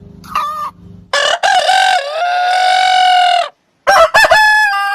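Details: Rooster crowing: a faint distant crow first, then a loud close crow with stuttered start and a long, slightly sagging sustained note, followed after a pause by another crow beginning.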